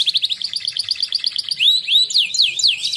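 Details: Champion canary from a singing contest performs a training song, quick bubbling repeated notes followed by looping swooping slurred phrases.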